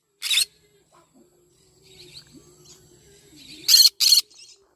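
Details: Yellow-sided conure in the morning: one raspy shriek, a pause with soft faint sounds, then two loud grating squawks in quick succession.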